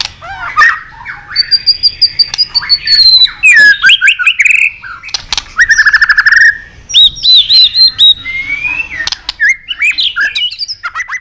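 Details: Three-season white-rumped shama, stimulated from low spirit into fighting song: loud, varied whistled phrases with long rising and falling slurs near the top, bursts of rapid chattering notes, and sharp clicks between phrases.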